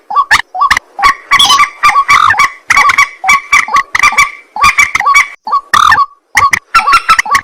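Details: White-breasted waterhen calling after dark: loud, honking, croaky notes tumbling out in fast bunches, with brief gaps and a sharp final flurry.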